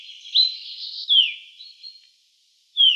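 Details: Common chaffinch, Black Sea subspecies: a rising note, a smooth falling whistle and a softer wavering tone, a pause, then another downslurred note, all high and clear.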